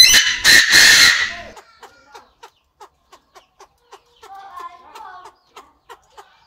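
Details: Chinese francolin in an aviary: the loud, harsh tail of a crow in the first second and a half, then soft, evenly spaced clucking ticks with a brief twittering patch.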